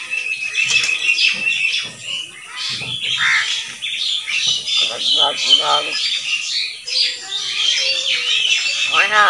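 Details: Common hill myna, a talking bird said to speak many kinds of words, gives dense harsh squawks, chattering notes and short whistled, speech-like phrases in quick succession, with human voices mixed in.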